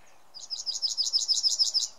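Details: Yellowhammer song recorded in May 2016, Samara Oblast, Russia: a fast chain of roughly twelve high, sharp, repeated notes with a slight crescendo, over faint low rumble.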